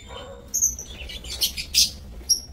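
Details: Caged lovebirds in an aviary on 30 May 2024 give sharp, high chirps and short squeaky whistles, a few scattered notes then a dense burst of shrill calls, with a low background hum.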